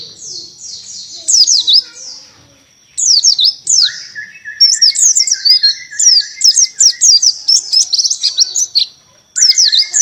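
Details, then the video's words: Canary-style tembakan singing by a Buxton's white-eye. A soft thin twitter opens, then dense repeated bursts of sharp falling whistles run almost continuously, with a buzzy mid-pitched note beneath. "BURUNG PLECI BUXTONI (TEMBAKAN BURUNG KENARI)"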